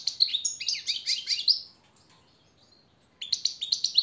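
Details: Goldfinch song used as a master training song for captive birds: bright, rapid twittering phrases of chirps and trills, then a pause of over a second before the twitter resumes.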